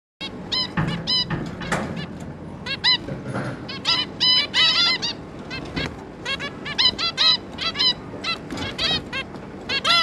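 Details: Zebra finch pair with their three juveniles, recorded 11 May 2022: dense, overlapping chatter of short nasal, harmonic-rich beeping calls from several birds, some rising and falling, coming in quick bursts throughout.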